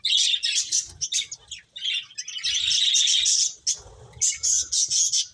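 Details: Finches playing, giving bright high chirps and short twittering bursts in quick runs, with brief pauses between groups and faint low thumps beneath.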